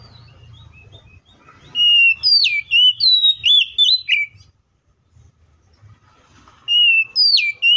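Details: Oriental magpie-robin delivering fighting song to stir other magpie-robins into singing; after a low rumbling background, loud bright whistles with sharp sweeps come in bursts, separated by a short quiet pause.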